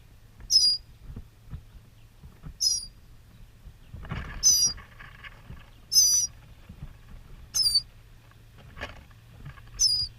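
Northern mockingbird: six thin, very high, downslurred notes, about one every two seconds, over a soft rustle and a low hum.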